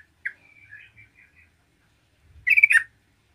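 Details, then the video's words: Yellow-vented bulbul singing lively to provoke its rivals: one sharp note and a soft thin whistled trill, then a louder bubbly gurgling phrase near the end. "MERBAH CEROCOK GACOR GARUDA AMPUH UNTUK MENDRONGKRAK EMOSI TRUCUKAN LAIN"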